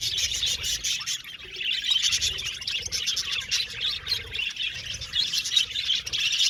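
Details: Many budgerigars chattering together in an aviary colony: a steady wash of quick, high chirps and warbled notes, rising and falling slightly in loudness over faint low rumbling.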